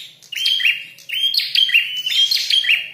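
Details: A red-headed prinia calling during a fight: about four bursts of high, sharp chirping notes, each starting with a thin whistle and dropping into buzzy twitters.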